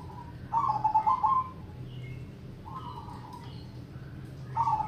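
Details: Zebra dove song in the triple ketek crossing rhythm: short bursts of soft bubbling coos, each about a second long, separated by pauses, with steady low hum throughout.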